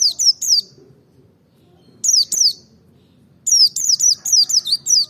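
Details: Merapi-type white-eye singing in the double ngalas style with open beak, used to provoke other birds into singing: clusters of thin, very high downslurred chirps delivered rapidly in three bursts separated by short pauses.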